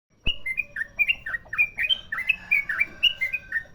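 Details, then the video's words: Sooty-headed bulbul, a merapi-type bird with a long rolling song; quick series of clear whistled notes jumping up and down in pitch, with faint background hiss. "Trucukan merapi ropel panjang"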